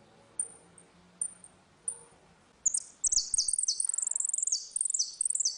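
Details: Saffron finch singing a ringing song in a dispute, used to teach young birds: a few thin high chips, then a rapid run of bright, ringing, descending notes repeated in quick phrases.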